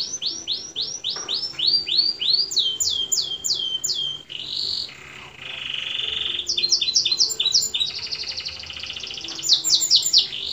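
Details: Canary singing a full-fill tutor song (masteran kenari full isian): fast series of high, downward-sweeping whistled notes repeated several times a second, switching to rapid buzzy trills and rolls, then returning to swept phrases.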